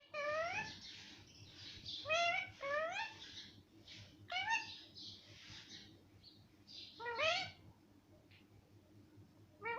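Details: Talking parrot said to say mummy and papa, giving a run of loud harmonic syllables that sweep upward, several short phrases about one second apart, then a final rising cry near the end, over a low indoor hum.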